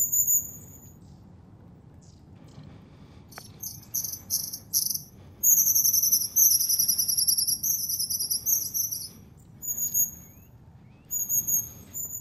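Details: Wild long-tailed tits in January, in nature in the Moscow region at the Zvenigorod Biological Station: very high, thin calls in short repeated series and longer rapid trilled runs, over a steady low background hiss.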